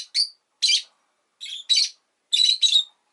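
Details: A pet Rosy-faced lovebird gives harsh, high, squeaky chirps, singly and in quick pairs, about six notes over three seconds with gaps of silence between, with town noise such as traffic sometimes present.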